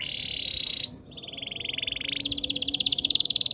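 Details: Canary song: a bright buzzy trill high in pitch, then a break and a lower steady rapid rolling trill that climbs to a louder, faster pulsed trill toward the end. No other sounds stand out.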